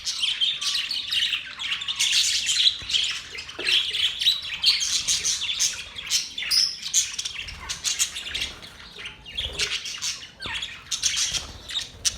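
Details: Budgerigar happy chirping: an unbroken stream of bright, rapid twittering and chirps, warbling and scratchy, holding steady loudness for twelve seconds.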